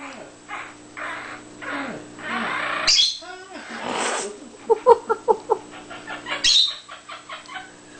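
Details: Pet Quaker parrot laughing: bursts of harsh, rasping notes, then a quick run of short, clipped pulses in the middle, with soft chatter between the bursts.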